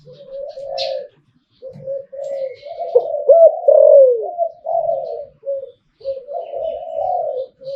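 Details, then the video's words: Zebra dove singing in the หลิ่วตัน (Liu Tan) song style, shown for its crowing voice; a run of low, rolling, bubbling coos, continuous and warbling with short breaks, in a small indoor room. "หลิ่วตันตลอด Thai dove #นกเขาใหญ่ #เสียงนกเขา #หลิ่วตัน"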